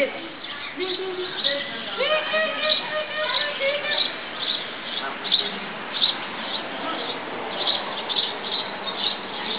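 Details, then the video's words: Lots of geese at apartments in Columbus, Ohio, with a close series of stacked, nasal honks early on, followed by fainter honking and a steady, rhythmic ticking in the background. "Geese, geese, and more geese"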